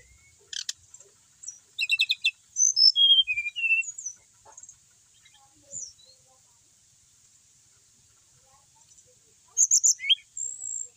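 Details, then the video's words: Kept brown-chested jungle flycatcher singing persistently: a buzzy high trill, then a bright run of stacked chirps and descending whistled notes, a pause with faint ticks, and a closing burst of sharp high whistles; steady high hiss throughout. "Emang enak kalo punya burung srdc mapan, mau di apain aja tetap gacor,sikatan rimba dada coklat bali"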